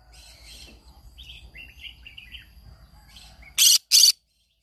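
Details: A pair of harsh, broadband squawks from a green-cheeked conure singing in the morning, following a stretch of faint chirping notes.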